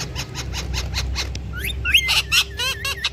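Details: Pet rose-ringed parakeets, kept as talking parrots, give a burst of sharp chirps and squeaky whistled notes. Rapid clicking pulses come first and a quivering trill closes the sequence, all over a low background hum.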